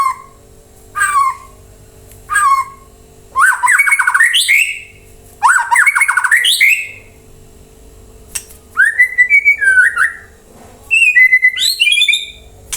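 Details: White-rumped shama song meant to draw replies from other birds; short falling whistles followed by dense, rapid chattering bursts and then sweeping slurred whistles, over a constant faint electrical hum.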